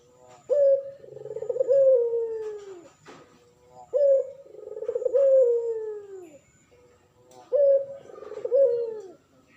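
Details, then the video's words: Male puter pelung turtle dove, a vocal bird kept as a master voice for training other birds. Three cooing phrases about every 3.5 seconds, each a sharp opening note followed by a long, drawn-out, gently falling coo, over a quiet background. "Burung puter pelung jantan gacor"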